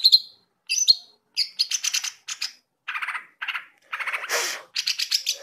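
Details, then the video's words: Greater green leafbird song, offered as a reference for training other birds: sharp high whistled notes open, then busy chattering, scratchy phrases in quick bursts, with one harsh noisy rasp near the end. "CUCAK IJO GACOR NGENTROK ..!! COCOK BUAT MASTERAN"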